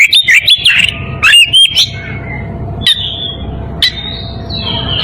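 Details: Oriental magpie-robin in breeding condition calling a rival: a few quick loud rising and falling whistled phrases, then long thin drawn-out whistles separated by sharp clicks, over faint hum.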